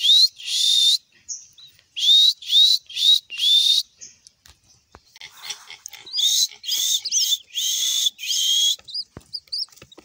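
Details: Captive pink-necked green pigeon calling. Repeated clear upslurred whistles come about twice a second in two bursts, with a quieter, busier stretch of wavering notes in between.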